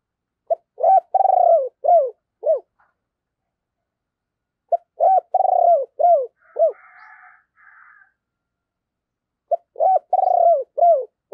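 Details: Spotted dove used as a decoy bird, cooing to stir other doves to coo: three bursts of low hoarse coo phrases, each a short note, an arched note, then a long pulsing coo and falling tails, with a faint chirping between.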